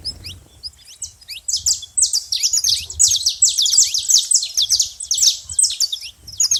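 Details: Noisy saffron finch at a bait feeder, giving a dense, fast run of high, bright chirps and buzzy notes that builds into a continuous chatter after the first second.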